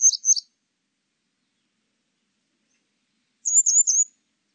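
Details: Grey wagtail from a National Institute of Biological Resources recording, 2020: two brief high sharp call bursts, a double note then a rapid three-note chirp after a silent pause, clean background.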